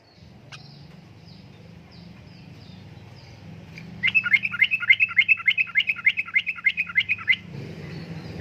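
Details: Sooty-headed bulbul in persistent uplik-uplik song, used to lure and tutor caged birds. A low hum fills the first seconds, then a fast run of about a dozen sharp, bubbly, evenly repeated notes.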